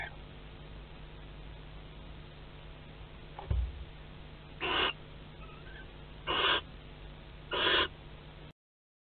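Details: Barn owls at a Théding nest, webcam, 25 May 2020, during courtship and mating; after a dull knock, three breathy hissing calls spaced about 1.5 seconds apart over a low hum.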